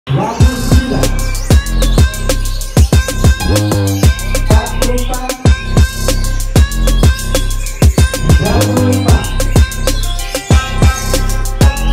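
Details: A loud electronic beat with heavy bass thumps and synth lines plays throughout, with no animal voice anywhere.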